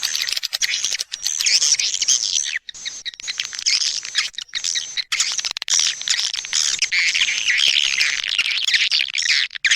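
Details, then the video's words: Swiftlet-attracting call of the edible-nest swiftlet, A Leyung style: a steady, dense stream of high buzzy twitters and chirps running almost without a break. "SP.PANGGIL SUARA WALET A LEYUNG"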